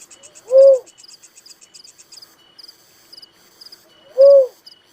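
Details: Little cuckoo-dove giving two brief, low, hollow whistled notes about three and a half seconds apart, with quick high insect chirping throughout.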